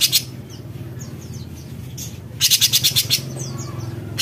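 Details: Harsh besetan rattle from an actively singing cucak cungkok bulbul: a short buzzy burst of quick pulses in the middle, with brief scratchy notes before and after, over a low rumbling background.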